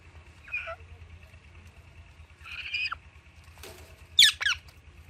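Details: A pet Alexandrine parakeet playing with palm fronds alongside Indian ringneck parrots gives harsh, grating screeches falling in pitch, four bursts over five seconds, over a steady high whine and a faint low hum.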